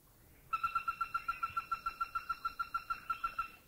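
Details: A Greater Flameback in a Thai national park gives a fast, even, monotone trill of about twenty sharp notes, roughly seven per second, on one steady mid pitch.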